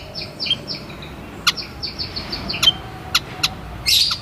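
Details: White-headed munia giving rapid runs of thin, high, slightly descending peeps, closely spaced, broken by sharp dry clicks and ending with a short noisy rustle.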